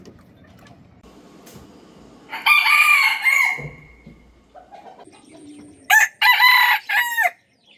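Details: A farm rooster gives a loud, harsh, drawn-out crow that trails off and falls, then a second crow broken into short bursts a few seconds later, over faint background rustle.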